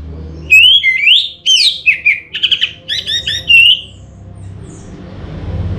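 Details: Orange-headed thrush singing a lure song to excite other birds. A loud, clear run of looping whistles and slurred notes follows rapid chattering bursts, ending on a bright whistle. Faint low rumble underneath.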